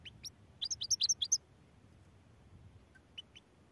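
A goldfinch mule sings a quick burst of high, bright twittering notes.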